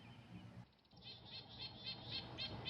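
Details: Red-breasted Nuthatch, a year-round resident, in spring (April–May) on the north shore of Lake Huron, Ontario, giving a run of short, nasal, tinny notes, several each second, over a low background rumble.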